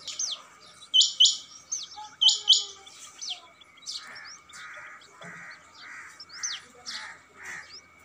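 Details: Male rain quail calling: sharp, high, downward-slurred notes given in quick doublets about once a second, later fading among softer chirps and a rhythmic, buzzy pulsing background sound.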